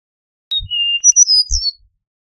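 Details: Eastern meadowlark singing one whistled phrase: a sharp first note, a drawn-out level whistle, then bright slurred notes tumbling downward, with two low thumps of handling noise.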